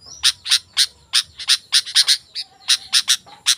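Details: Sooty-headed bulbul in full song for luring wild birds and tutoring caged ones: loud, sharp chirps in an uneven rapid series, some paired, all strong and clear.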